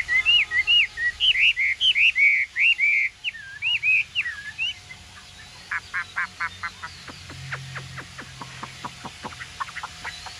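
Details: Caged Chinese hwamei, newly acquired, green plumage with yellow bill and feet and eyebrow markings, singing loud looping whistled phrases repeated rapidly, then a run of short sharp clicking notes about five per second, over steady background hiss.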